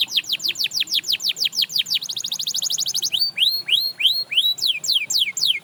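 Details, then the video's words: A canary sings to get other canaries singing again: a quick series of downward strokes, a fine rapid trill, then slower upward-arching whistles and falling slurred notes. "Watch How This Canary Inspires Others to Sing Again!"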